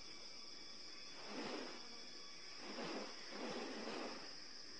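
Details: A male Magnificent Riflebird in courtship display makes three soft, breathy rustles, each under a second, produced by opening and closing his wings as he moves his head side to side, over a steady high insect drone.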